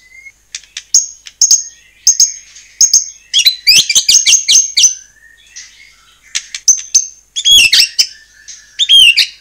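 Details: White-rumped shama song used to trigger singing in other shamas: sparse phrases of sharp clicks and steady high whistles, broken by short silences, with a louder cluster of fast notes in the middle.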